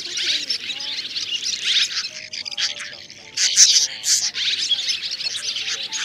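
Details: Swiftlets of three types, white-bellied, banded and grey-brown, summoning the flock to a roosting thicket for trapping, 2024: thick high-pitched twittering that dips briefly and then surges louder, with faint lower steady tones.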